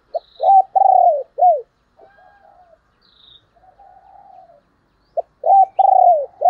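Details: Decoy spotted dove luring wild doves: a burst of low hooting coos, one long and falling, then softer distant cooing, then the loud phrase again; faint high thin notes above.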